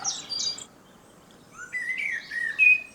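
A Common Blackbird sings a mellow, warbling phrase that slides upward, while other birds chirp in high, thin bursts before and beneath it.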